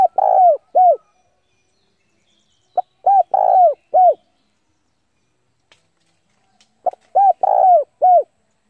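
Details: Spotted dove decoy bird calling challengers to a fight: regular cooing phrases of short clipped notes and arched coos with one longer coo, repeated about every four seconds, with a faint tap or two.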